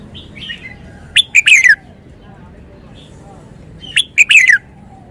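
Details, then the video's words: Wild-style (phleng pa) song from a caged red-whiskered bulbul: a soft lead-in chirp, then two loud phrases about three seconds apart, each staccato notes ending in a bright downward-sliding whistle. "นกกรงหัวจุก 292 เพลงป่า แกนโต"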